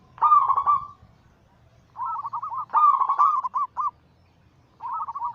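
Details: Anggungan song from local and Bangkok-cross zebra doves, meant to make other birds sing. A deep rolling coo is followed by quick stuttering trills and a final burst of soft pulsed notes.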